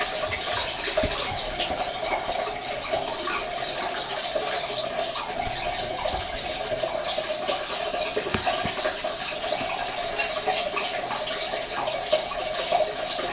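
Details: A flock of Oriental white-eyes gives a steady, crowded chorus of high, rapid chirps and trills, played as a colony sound to trigger quiet males to sing, with soft water-like noise throughout.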